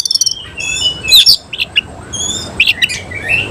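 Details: Oriental magpie-robin of the semi-Cililin type, singing in display with its tail spread: bright whistled notes and sharp chirps mostly high-pitched, with quick trilled bursts and upslurred squeaky phrases in short separated bursts.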